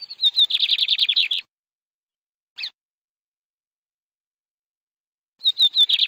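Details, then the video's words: Canary giving a high rapid trill of repeated buzzy notes, then a long pause broken by one brief chirp, before another whistled phrase begins a new fast trill; no other sounds. "The sound of a canary bird"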